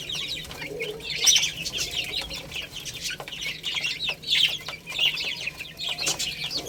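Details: Young chicks at play and feeding give rapid, high-pitched peeps, many voices overlapping in an irregular chatter, with scattered clicks and scratching sounds.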